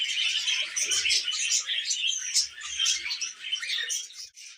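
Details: Tame pet budgie chattering happily, a busy stream of scratchy warbles, high squeaks and quick chirps that runs without pause, fading slightly at the end.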